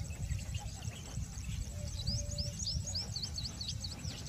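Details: Common kingfisher at Nal Sarovar, Gujarat, giving a quick run of shrill, high whistled notes, about five a second, over a heavy low rumble of wind.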